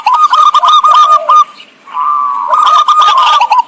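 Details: Zebra dove song used as a trapping lure: loud bursts of rapid stuttering coo notes with a hard-edged tone, a short pause, then a longer drawn coo phrase ending in quick repeated notes.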